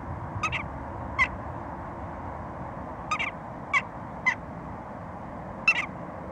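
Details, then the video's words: Western jackdaw uttering a series of six crisp, short tchak calls, some paired in quick succession, irregularly spaced across several seconds against a faint steady background noise. "Choucas des tours - Jackdaw"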